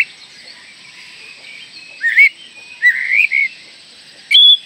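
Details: Oriental magpie-robin, a lively singer used as a lure to get young birds singing and to provoke rivals: a few separate whistled phrases, rising and sliding between notes, with long quiet gaps and faint background hiss.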